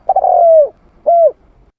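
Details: Spotted dove (tekukur) lure call: a long, burry coo that starts rough and smooths into a falling tone, then a shorter clean arched coo after a pause, with no other sounds.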